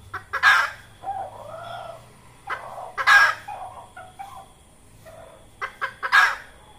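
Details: Cackling red junglefowl hen, a trapping lure call: three loud, rough, broadband squawks spaced about three seconds apart, each led by short clucks and trailed by softer nasal notes.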